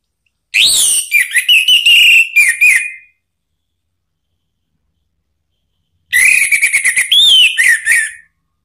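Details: Orange-headed thrush song meant to goad another bird into singing: two loud phrases of fast chattering and slurred whistles, each about two to three seconds long, separated by silence.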